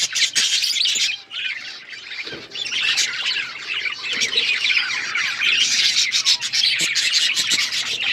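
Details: Overlapping chirps and scratchy squawks from pet budgies pour out almost nonstop, with sharp clicks and a short lull after the first second.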